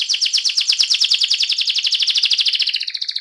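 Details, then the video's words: Canary singing a rolling ngerol song: a fast, even trill of high buzzy notes repeated about ten times per second. The trill holds steady, then thins to a purer whistle at the end. "kenari AF ngerol"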